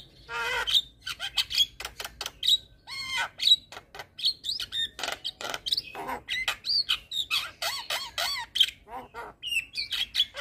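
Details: Javan myna ocehan chatter meant to train young mynas: long varied sequence of sharp clicks, piercing whistles, swooping upslurs and rasping notes, delivered fast and continuously.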